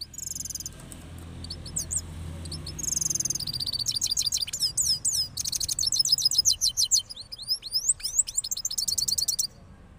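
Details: Following the moult, a cross goldfinch from Parachinar gives rolling songs of dense high chattering, buzzy trills and quick upslurred whistles, with low background rumble at the start.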